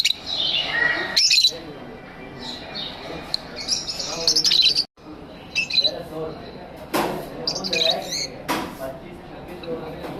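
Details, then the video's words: Lovebirds kept as pets in an aviary, chattering with high squeaky twitters and harsh squawks that come in uneven bursts, with a few loud sharp chirps standing out above the busy flock noise. "Lovebird Singing & Chirping Sounds"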